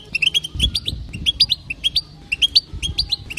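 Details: Quick repeated high chirps from a female European goldfinch, her btabta call said to make males sing: paired clipped notes rattling out in a lively, even series.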